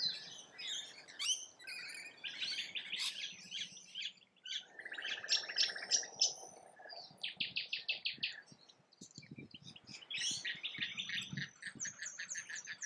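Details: Noisy rainbow lorikeets feeding in Australia, mixing grating screeches with fast trilled chatter and runs of rapid pulsed notes, several birds calling at once.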